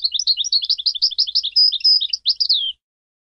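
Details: European goldfinch pouring out a continuous liquid twitter of varied high chirps, with two brief sustained whistled notes and a falling slurred ending, nearly three seconds of unbroken song.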